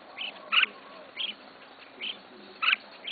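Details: Kept red-whiskered bulbul, a beginner's first bird, calling with brief bright chirps roughly every half second to second, alternating softer and louder notes against faint background hiss.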